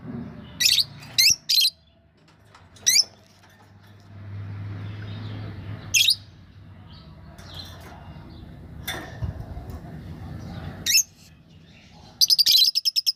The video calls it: Lovebirds Sound